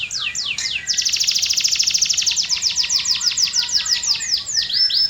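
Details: Canary song opening with a few descending whistles, breaking into a long rapid rattling trill, then slower repeated down-slurred whistled notes.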